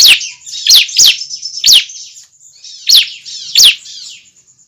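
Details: Young bar-winged prinia calling, a sound used to attract other prinias: six loud, quick, high chips, each dropping steeply in pitch, spaced unevenly, with a constant thin high tone behind them.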